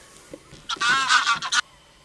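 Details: Common crane giving one loud, rolling trumpeted call just under a second long, harsh and rich in overtones, set in near silence.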